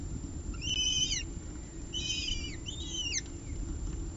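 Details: Feeding of two peregrine falcon eyases on a nest ledge in Orange, 30 September 2018, with the female offering small pieces of prey. Three short bursts of stacked, falling whistled squeals come about a second apart over a faint hum.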